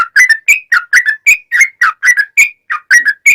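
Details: Lively sooty-headed bulbul song in the long 'ropel' style, meant as a lure to draw replies from other bulbuls: quick string of liquid whistled notes, each rising then falling, with one short gap near the end.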